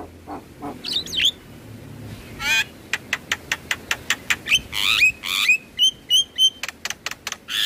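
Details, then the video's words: Javan myna song meant to spur stressed, silent birds to sing: scattered whistles, a rattle, then evenly spaced sharp clicks mixed with short bright whistled notes. "Terapi Burung Jalak Stres Malas Bunyi Rutin Putarkan Suara Jalak Kebo Setiap pagi dan Sore"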